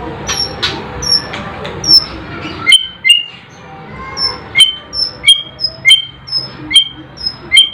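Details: Sharp tutor song played to train competition white-rumped shamas (murai batu): bright, piercing whistled notes and chirps in short bursts, repeated roughly every half second, over a faint low hum.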